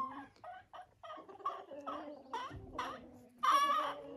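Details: Free-ranging laying hens at a dacha cluck in a run of short, nasal notes that rise and end in a louder, drawn-out squawk; such hen talk is taken to mean they are laying.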